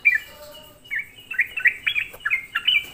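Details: Sooty-headed bulbul in a lure recording used to excite other bulbuls, giving short bright chirps and slurred two-part whistles that tumble downward, loosely spaced over a few seconds.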